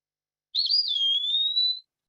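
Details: Eastern wood-pewee (Contopus virens) song, a single clear, sweet whistle slurred up, dipping, then rising slowly, a drawn-out pee-a-wee lasting about a second that sounds like a question.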